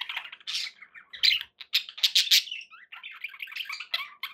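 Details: Pet budgies chattering indoors, a dense run of scratchy warbles, chirps and short squawks with brief pauses between bursts.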